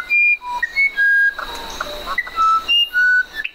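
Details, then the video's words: Musician wren singing clean whistled notes at shifting pitches, a softer buzzy middle section, then more long level whistles, over a faint constant high tone. "SONIDOS del CUCARACHERO MUSICAL"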